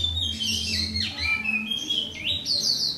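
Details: Oriental magpie-robin (white-bellied form) singing alone in the morning: clear whistled phrases, some sliding down, others rising sharply, with bright high notes near the end. A steady low hum runs underneath.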